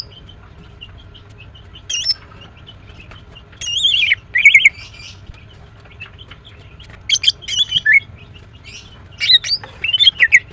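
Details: Female greater green leafbird chirping in spaced bursts: high, clear whistled notes bending down and up, mixed with quick sharp chips, separated by pauses of a second or more over faint background hum.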